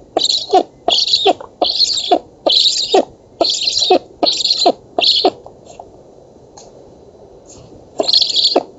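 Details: Nestling black storks begging at an August 2017 feeding on an oak nest in Poland: rhythmic rasping bursts about every 0.6 seconds, a silent stretch, then one final burst.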